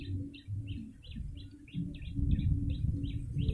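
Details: Yellow-bellied prinia chirps played to attract birds, spaced about three per second, each a short buzzy note, with a constant low hum and rumbling underneath.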